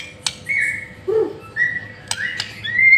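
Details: White-rumped shama lure song, used as a tutor (masteran) recording to get a bird singing energetically: long flat whistled notes and a rising final whistle, separated by sharp clicks and a short low warble.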